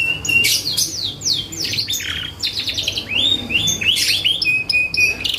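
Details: Canary song meant to make other birds answer: sharp descending whistled slides, quick chirp series, and clear rising notes, ending on a steady held whistle.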